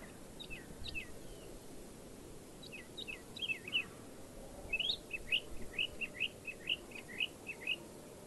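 European goldfinch giving quick, tinkling twittered notes in loose bursts, picking up into a faster run of bright chirps over a low rumble of background noise.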